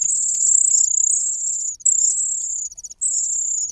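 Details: Hungry cuckoo chick begging loudly in a nest where the host's own chicks are already fed: shrill, thin, very high hissing notes held for over a second each, three long drawn-out calls with brief breaks.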